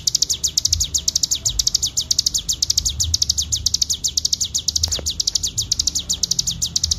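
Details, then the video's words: A training master of a Bar-winged prinia delivering full ngebren song: a long, rattling series of bright, high-pitched chirps, evenly spaced and very fast, over quiet low background noise. "masteran cigun ful ngebren gacor suara jernih"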